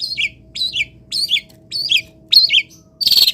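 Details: Long-tailed shrike in a cage, singing in morning sun after misting; five similar slurred descending chirps about half a second apart, ending in a harsh burst, faint steady hum behind.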